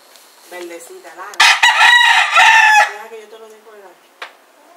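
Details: Rooster yelling against a rival near a cockfight, Puerto Rico, winter: rising preliminary notes, then a loud prolonged crow lasting over a second, ending in lower trailing calls and a sharp click.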